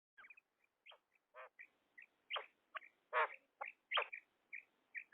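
A female common quail gives short, clipped nasal notes in loose, uneven bursts, roughly one to two per second, with brief pauses between groups.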